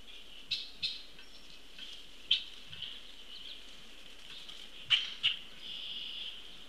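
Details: Juvenile Common Grackle begging as an attentive parent feeds it on a camera feed, 22 June 2018: a few harsh, broadband squawks at irregular intervals over a steady high-pitched background hiss.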